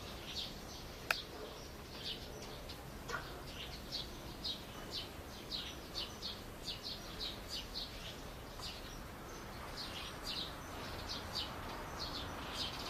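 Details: Grey-capped pygmy woodpecker in a backyard gives a steady run of thin, squeaky high notes, about two each second, over a soft hiss with one sharp click early on.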